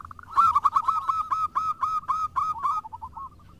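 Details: A local zebra dove in full song, answered by others: a steady run of about twelve bright, rounded cooing notes at even spacing, ending in a softer fading trill.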